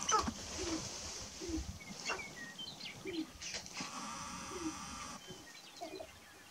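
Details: Sharp-tailed grouse displaying on the lek in Burwell, Nebraska, on March 29, 2018: low hoots and coos, high chirps and cackling notes overlapping from several birds, with steady outdoor background noise.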